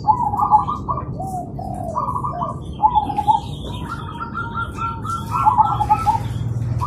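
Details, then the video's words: Zebra doves singing in the morning, several birds answering each other in a lively chorus: overlapping bursts of quick, stuttering, bubbling coos, each phrase a rapid trill of short notes ending in a drawn-out coo, with low background rumble. "Perkutut Manggung Di Pagi Hari Saling Bersahutan Dan Ramai"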